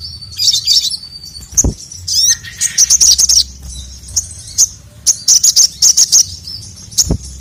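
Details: Sogon in full voice calling the male, used to stir reluctant birds; repeated bursts of sharp, very high chattering notes in irregular clusters over seven seconds, with two low thuds.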